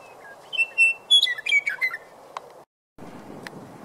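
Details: Western meadowlark singing near the South Platte River on March 12, 2015, heralding spring: a flute-like phrase of clear whistled notes that step down into a rapid jumbled warble, lasting about two seconds, followed by a brief click and quiet background hiss.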